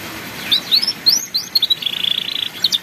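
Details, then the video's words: Canary singing in the ngeriwik style used to teach young birds: several separate rising whistled sweeps, then a fast even buzzy trill, ending with a couple of short high notes, against background hiss. "MASTERAN BURUNG KENARI PAUD BELAJAR BUNYI NGERIWIK"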